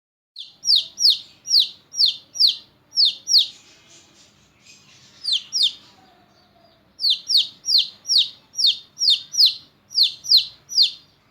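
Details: Pet chickens, shown from one-week-old chick to six-month-old hen: high, thin peeping chirps repeated in quick runs of downward-sweeping notes, with a short pause mid-clip before the rapid peeps resume.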